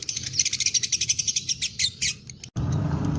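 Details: Lovebird of the fighter type singing a long ngekek trill: a fast run of evenly pulsed, high, chattering notes lasting about two and a half seconds, breaking off abruptly into low background rumble.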